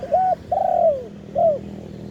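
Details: Wild spotted dove recorded live in its khan yon ha cooing style: a brief level coo, a long mellow coo sliding downward, and one short closing coo, loud and clear against a quiet hum.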